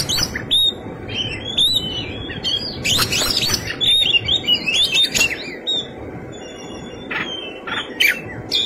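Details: Fighting song of an Oriental magpie-robin, packed with fill phrases: rapid bursts of looping whistles and scratchy buzzy notes, a dense loud cluster midway, then sparser sharp chips toward the end, against low steady background noise.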